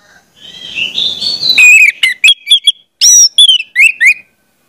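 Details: Orange-headed thrush singing, a song meant as a model for young spotted birds: soft warbled whistles build into loud, varied phrases of slurred high notes. Brief pauses split the notes into two tight clusters.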